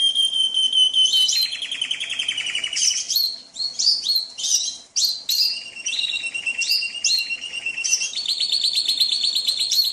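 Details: Canary song mixed with trickling water, meant to calm birds being trained: long held whistles alternate with rolling trills and quick chirped phrases, against continuous running-water noise.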